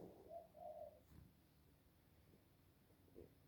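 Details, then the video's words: Ducks making an unusual sound: a soft, low warbling trill in two quick bursts at the start, then a faint short note later over quiet background hum. "Ducks making a weird sound again!!!"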